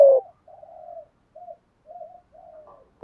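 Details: Spotted dove performing 'thúc gù' and 'gáy gọi' cooing: one loud, deep coo at the start, then a series of soft, low, breathy murmured coos spaced about half a second apart, with a loud note cut off at the end.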